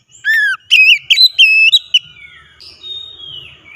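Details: Oriental magpie-robin song serving as a lure for a reluctant singer: a descending whistle, then quick ringing slurred notes, trailing off into a long, soft, thin falling whistle.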